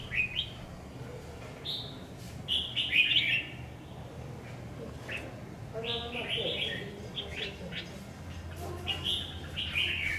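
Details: Red-whiskered bulbul, a newly acquired decoy bird being tried out near a house: short bright whistled phrases with slurred notes, given in bursts and separated by pauses, over background hum and a man talking.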